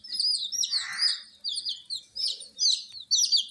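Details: Domestic chicks, dyed in colours and kept warm, give loud piercing peeps in quick overlapping bursts, with a short rushing rustle early on.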